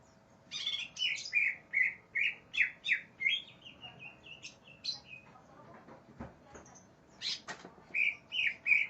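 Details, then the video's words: Greater green leafbird, furious and looking for an opponent, repeating a slurred whistled phrase about every half second, then a jumble of softer notes and clicks before loud whistles resume. "cak ijo NGAMUK cari LAWAN"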